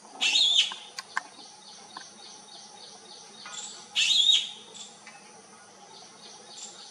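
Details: Black-eyed bee-eaters searching for their flock, giving two loud, buzzy, slightly rolling calls about four seconds apart, with faint thin high notes and brief clicks between.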